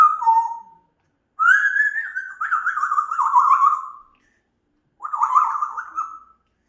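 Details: An African grey parrot, a pet, whistling a short falling note, then a long phrase that rises and wavers downward in quick pulses, and a final shorter wobbling whistle.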